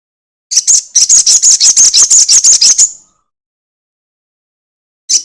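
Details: Crested jay long chatter played as a lure to make other birds sing: about fifteen sharp, high, evenly spaced rasping notes delivered rapidly over two and a half seconds, silence, then one more note.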